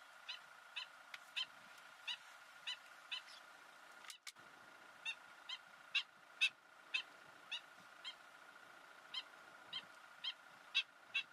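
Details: In the Ebro Delta, Spain, in August 2015, a wood sandpiper gives short, sharp, slightly buzzy calls, about two a second, over a steady high background hum.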